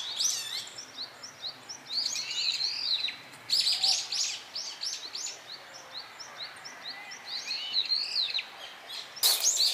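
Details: Several brown-eared bulbuls noisy in a flowering cherry tree as they come for nectar: bursts of shrill, rising and falling squeals and short chirps overlapping in waves, with a sharp broadband click near the end.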